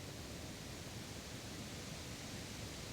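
Steady, even broadband hiss like rushing water or wind fills the whole recording, with no animal calls.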